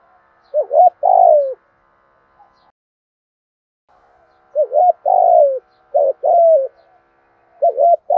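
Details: Spotted dove with a fine voice cooing thúc gù style. Repeated phrases of quick hooting notes leading into a longer coo that drops in pitch, with a pause between bursts and a clean, quiet background.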